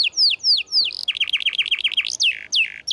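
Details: Energetic canary song used as tutor material for silent canaries: sharp downslurred whistles, a run of rapid rising-falling warbled notes, then more steep downward sweeps.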